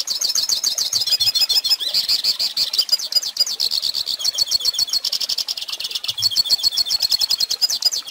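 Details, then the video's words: Hooded Siskin, singing for young birds to learn from: a lengthy, hurried warble of high, sibilant twitters, buzzy trills and sliding notes running on with hardly any gaps. "Pintassilgo Cantando Ensine Filhotes!!!"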